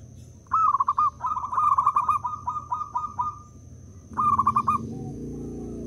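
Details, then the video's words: A local zebra dove serves as a lure to make other doves call. It gives a long, stuttering, bubbly coo phrase, a pause, then a shorter rolling phrase. A low rumble appears near the end, over a constant high whine. "Pekrutut lokal jadi cepat manggung dengar perkutut ini bunyi (PERKUTUT PIKAT)"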